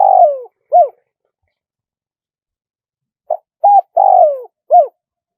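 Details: Crowing spotted dove, local 'khan 1 kuk' style: a long falling coo and a short one, nearly three seconds of silence, then the phrase again, with two quick short notes, a long sliding note and a final falling coo.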